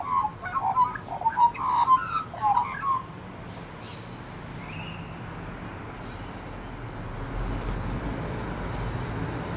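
An Australian magpie gives three seconds of rich, fluting, gurgling warbles, followed by a few thin high chirps from another bird over a steady background hiss.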